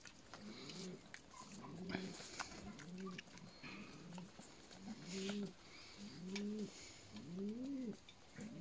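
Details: Juvenile peahens calling: a series of low, nasal, mewing two-part notes, rising then falling, repeated roughly once a second, with faint clicks and rustling in the background.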